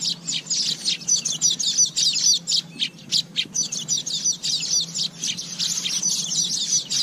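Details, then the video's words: Asian golden weaver singing a long, scratchy, buzzing chatter. It comes in quick bursts about every couple of seconds, with a faint constant hum underneath. "เสียงนกกระจาบทอง Asian Golden Weaver Sound"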